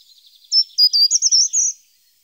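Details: Short-toed treecreeper singing a single short, high-pitched phrase of six rapid thin notes that rise a little toward the finish. Faint soft high twittering runs underneath just before the song.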